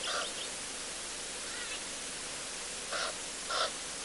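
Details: Wild white-fronted bee-eaters on an African live camera: three short, nasal, harsh calls spread across four seconds, with a faint rising note between, over a steady hiss.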